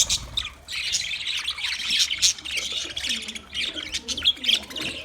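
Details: Several budgerigars chirping together, played for a lonely bird: dense, continuous high warbling chatter with quick chirps and short squeaky notes overlapping throughout, no pauses.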